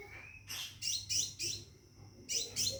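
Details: Scarlet minivet in a cage, calling to a female for mating, gives a string of bright, high, sweeping notes in close pairs against a constant thin high tone.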